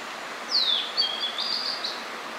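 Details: Spring song of a blue-and-white flycatcher, a summer visitor just returned to Hakone: a clear whistle slurring down, then a string of warbled high notes lasting about one and a half seconds over steady outdoor hiss.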